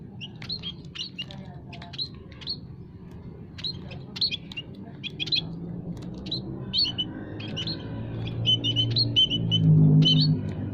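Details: Aviary munias of several kinds, kaji, peking and Javan, sung as a trapping lure: quick sharp high chirps, several per second, with a low rumbling background.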